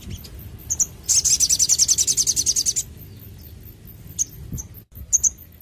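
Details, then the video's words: A sogon gives a rapid, very high-pitched trill of about fourteen notes in under two seconds, followed by a few thin, high chips. "sogon gacor cocok untuk masteran dan pancingan bunyi burung bahan"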